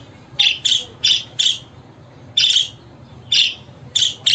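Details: Budgerigar chirping used to call and prompt a pet budgie to respond: loud, clipped, buzzy notes in pairs and singles, separated by pauses of up to a second.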